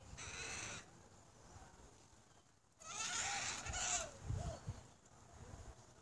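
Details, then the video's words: Galah in Adelaide, Australia, protecting its nest against another galah, giving piercing, eerie squawks: a harsh broadband screech under one second long, then a longer rasping burst of about a second after a pause, with low background rumble. "galah bird protecting nest"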